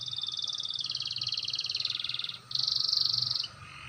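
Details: Canary learning to roll, its voice described as clear: fast, dense high trills running continuously with a short break, then a brighter rolling burst, over a low engine-like rumble.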